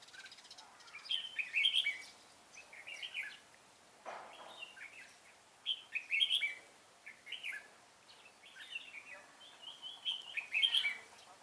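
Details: Red-whiskered bulbul used as a decoy during trapping on 25 April 2017, singing to lure wild bulbuls: bright warbled phrases of quick rising and falling notes, repeated every few seconds with short pauses, and a faint rustle midway.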